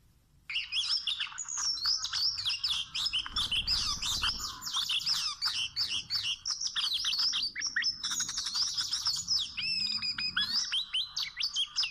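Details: A wild Oriental magpie-robin sings a busy, unbroken run of bright chirps, whistles and trills, with quick rising and falling notes and no pauses.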